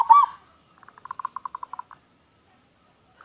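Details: Loud local zebra dove used as a lure for other doves: one brief rough coo, then a string of about a dozen soft, clipped coo notes, evenly spaced and steady in pitch.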